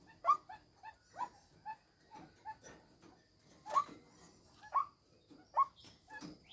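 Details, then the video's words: A female white-breasted waterhen used as a decoy calls in a long series of short, rough croaks. Louder notes are mixed with quieter clucks and come irregularly, about one each half second. "tiếng chim quốc mồi mái"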